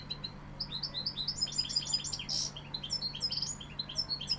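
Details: European goldfinch, Sevillian type, in full rapid song: bright, high, chattering twitters and liquid trills running without a break for over four seconds, including a short buzzy note, above a steady low hum.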